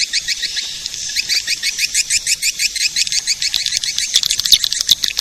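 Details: Lure sound for edible-nest swiftlets: rapid, high, slightly rasping chirps in a rolling series about five per second, with brief denser bursts.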